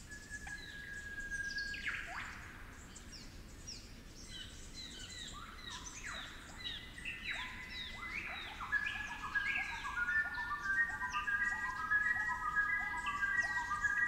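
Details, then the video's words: Superb Lyrebird, a 'flute lyrebird' with a local accent, in cool damp forest of the Werrikimbe Wilderness, New England Tablelands, New South Wales. It gives a complex melodic phrase: sweeping whistles, then pure flute-like notes stepping down in a steady series. "Flute Lyrebirds of the Werrikimbe Wilderness"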